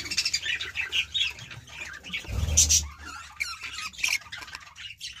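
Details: Baby budgies in their nest make quick, sharp chirps and squeaky calls, one after another at a steady pace. A brief low thud sounds midway.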